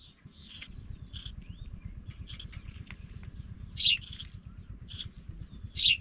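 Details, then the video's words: Young pipits going out of the nest give short high chirps at irregular intervals, a few louder descending notes standing out, against constant low background noise. "babies pipit Leave brother go out the nest"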